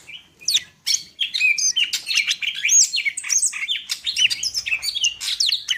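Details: Greater green leafbird, called cucak ijo, Medan variety, pouring out a dense nonstop stream of twittering whistles, quick slurs and chips with hardly any pause.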